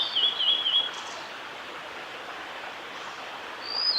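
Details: Male blue-and-white flycatcher at Oiso, Kanagawa, Japan, 11 June 2016: a brief bright phrase of warbled, trilling whistles at the start, silence with steady hiss, then another phrase just beginning at the end.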